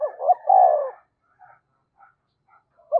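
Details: Decoy spotted dove said to coo readily, giving one phrase of two short hoots and a long mellow coo, then quiet scattered murmurs and the start of another note.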